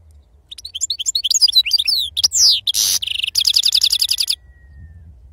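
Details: Wild-type European goldfinch singing in 'serfati' style: quick ascending chirps and sweeping whistles, a harsh rasping burst, then a fast buzzy trill of repeated notes before the song stops and only faint hum remains.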